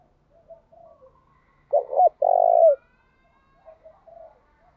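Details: Spotted dove decoy bird singing a driving 'thúc' cooing song meant to make wild doves answer at once; a quick pair of short hooked notes, then one long steady hoarse coo that dips at the end, with faint soft cooing around it.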